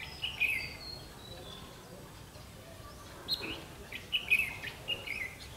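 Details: Red-whiskered bulbul, fiery eye-rim form, heard while being trapped on 31 October 2016: a lively chirped phrase at the start, a pause, then a cluster of quick bright notes near the end over low outdoor noise.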